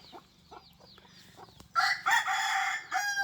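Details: Decoy rooster crowing: after quiet faint chirps and a sharp click, a loud, harsh, broken crow bursts in, rising then held in several strained segments to the end.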